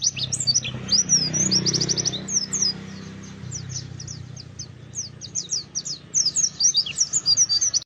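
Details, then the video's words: High, busy twittering from an oriental white-eye, used as a lure to get birds singing forest style and showing their learned repertoire: jumbled rapid chirps and short trills, dipping slightly in the middle before growing lively again. "pancingan pleci buka paruh, ngalas, bongkar isian"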